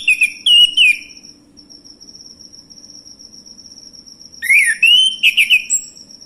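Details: Male orange-headed thrush, played as a lure to provoke other birds into singing: two bursts of clear whistled, slurred notes with rising and falling phrases, separated by a pause, over a steady high insect-like drone.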